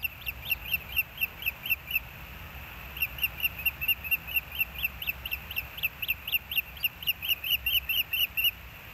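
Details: Osprey calling at the Hellgate nest on 20 May 2024 at 11:08: rapid runs of sharp, high whistled chirps, several each second, in two bursts split by a short pause near two seconds, over a steady low hum.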